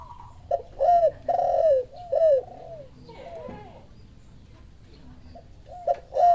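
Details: Spotted dove answering a lure call, giving loud, mid-pitched coos: a short note, then two longer falling notes, repeated in phrases, then a fainter series of soft coos after a pause.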